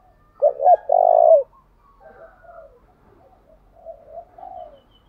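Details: A decoy spotted dove in 'thúc' style song used to lure wild birds. It gives one strong phrase of two clipped hoots and a long steady coo, followed by several faint, soft cooing murmurs.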